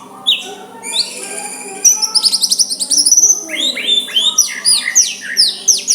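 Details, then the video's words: Soft song of a white-rumped shama used to goad a rival into answering: rapid high buzzy trills, then a series of rising and falling whistled notes repeated several times per second, over a faint steady hum. "Murai batu suara lembut cocok untuk MEMEKAT lawan ikut emosi dan saling balas"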